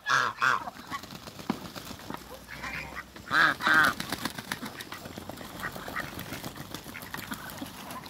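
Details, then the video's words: A pair of Muscovy ducks at play in backyard water, giving short harsh harmonic calls at the start and again midway, with steady splashing and dabbling throughout. "COUPLE MUSCOVY DUCKS AFTER THE CREATE WATERBIRDS & PLAY WITH THE WATER IN THE BACKYARD"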